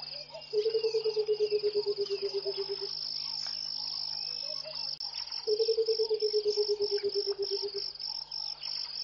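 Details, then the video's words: Early-morning song of a Burchell's coucal at Pete's Pond, Mashatu Game Reserve, Botswana, January: two low, liquid, bubbling runs of quick hoots, each about two seconds and gently falling in pitch, over a steady shrill insect drone. "Song of the Burchell's Coucal"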